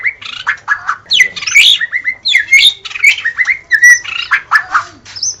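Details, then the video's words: A White-rumped shama kept as a cage bird sings busily: rapid run of downslurred whistles, squawky buzzes and chips, phrases packed closely with short gaps, ending on a high thin whistle. "SUARA BURUNG - Murai batu DIJAMIN LANGSUNG NYAUT dan GACOR dengan suara murai batu terbaik ini"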